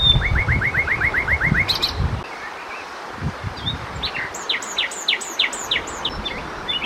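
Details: A common nightingale (Luscinia megarhynchos) sings at night: a rapid run of about ten rising chirps, a pause, then a series of high, clear, spaced whistles, with low rumbling background noise throughout.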